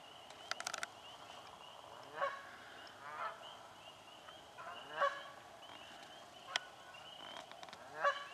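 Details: In a swamp, Canada geese fight over nesting spots, giving scattered single harsh honks about every three seconds against a continuous background of high, repeated chirps and brief clicks.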